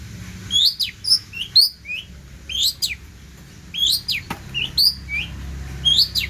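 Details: Long-tailed shrike in vigorous varied song for tutoring other birds: sweeping downslurred whistles and squeaky upturned notes, about one per second, separated by short quiet gaps.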